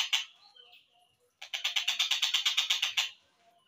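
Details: Collared kingfisher at reduced speed, a training recording for songbirds: a harsh note and faint whistle, a brief silence, then a burst of about a dozen quick grating notes fading out.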